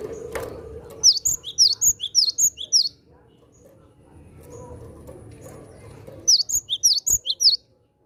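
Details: Javan sparrow calling to attract wild birds delivers two bouts of rapid, high, downslurred chirps, about ten notes each, separated by a few seconds of soft background noise.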